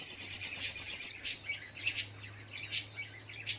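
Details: Morning song of a little spiderhunter, opening with a rapid run of high, evenly spaced piercing notes, followed by scattered sharp chirps and squeaks, a faint low hum in the background.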